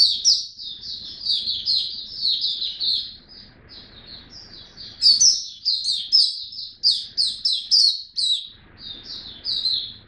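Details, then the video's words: Captive white-eye song display on a song booster trial; loud fast twittering phrases with sharp high accents, a brief lull mid-way, then renewed energetic chattering. "Mata Puteh Buka Sing"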